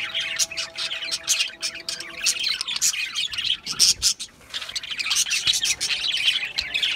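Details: Budgerigars chattering in a dense, continuous stream of high, scratchy chirps and squeaky warbles, with steady faint low tonal hum beneath.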